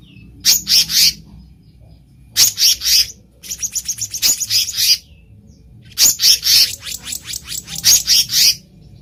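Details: Wild black-naped monarch, a recording meant for luring birds: groups of two to four loud, grating high chirps separated by pauses, with one quicker run of softer rasping notes in the middle.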